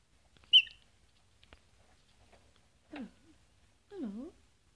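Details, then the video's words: Rescued pet rainbow lorikeet without flight feathers, eating a honey treat and whispering "hello": one sharp high chirp, then two short, low, voiced sounds that dip and rise, spaced about a second apart, in a quiet room. "rescued lorikeet says Hello"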